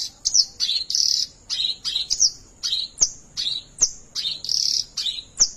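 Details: Oriental reed warbler (white-browed kerak basi) in gacor ngerol rolling song: separate harsh, rasping phrases mixed with sharp rising squeaks, roughly two per second, in a steady rhythmic series.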